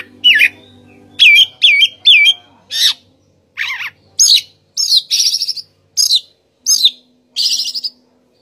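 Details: Oriental magpie-robin singing a loud, varied song of separate whistled phrases, some sweeping up and down, others buzzy and trilled, delivered in bursts roughly every half second with brief pauses; faint low hum early on.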